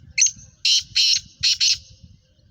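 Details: Captive female black francolin, kept in Sindh or Punjab, giving a harsh, high, squawking call in five loud rasping bursts, the last four in two quick pairs.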